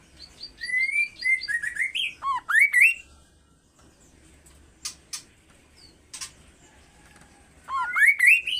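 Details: Kaso-kaso bird calling persistently with rising and falling whistled slurs and sweeping notes in bursts, interrupted by a few sharp clicks, then another run of rapid upswept whistles.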